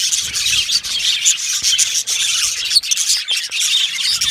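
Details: Chirping of yellow male budgerigars kept as an aviary colony, heard as a thick, unbroken babble of scratchy high warbling with scattered squawky notes and quick tweets rising above it.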